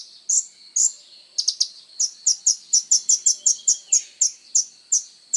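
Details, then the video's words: Van Hasselt's sunbird (kolibri ninja) singing vigorously for songbird training: two isolated high chirps, a quick triple burst, then a long, steady sequence of sharp, thin chirps about four per second. "SUARA BURUNG KOLIBRI NINJA GACOR FULL TONJOLAN"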